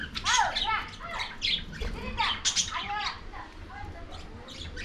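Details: Lovebirds feeding on corn utter loud, arched squawking calls in a fast irregular series, each note rising and falling sharply, with dense chatter throughout.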